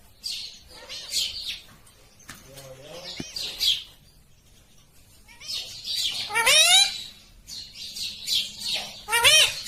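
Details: Green rose-ringed parakeet chattering softly with scratchy high notes, then louder harsh arched screeches in two bursts later on, with quiet gaps between the calls.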